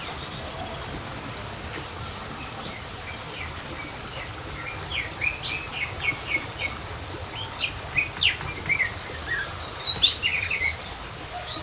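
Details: Small minivet lure sound: a long series of lively mid-pitched sliding chirps and a few very high notes, after a brief steady buzz at the start.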